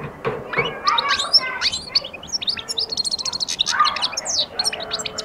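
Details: European goldfinch starting to sing and attack, pouring out a dense, fast run of liquid twittering notes with buzzy, rattling stretches, almost continuous throughout.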